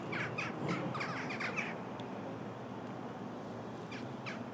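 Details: A cheerful flock of Western jackdaws at Embrun, France, 21 November 2019, 16:45, gives short, sharp 'tchak' calls overlapping in a rapid burst, then thinning to scattered calls over steady outdoor hiss.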